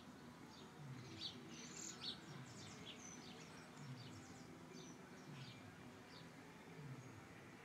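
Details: A thrush in a tree sings short, high, thin whistled notes and chirps in loose, irregular bursts over a steady low rumble.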